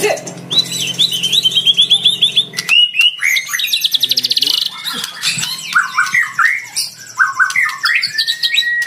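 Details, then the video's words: White-rumped shama of fighter type, its song used as a lure to provoke a rival into singing; a fast wavering whistled trill gives way to sharp squeaks, buzzy bursts and rising and falling whistles. "PANCINGAN MURAI PASTOL FIGHTER MENGUNDANG LAWAN IKUT BUNYI GACOR"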